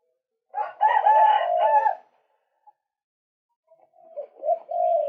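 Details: Recorded as a lure, a male white-breasted waterhen gives a loud, harsh, croaking burst lasting over a second, a quiet gap, then softer clipped notes building into a drawn call.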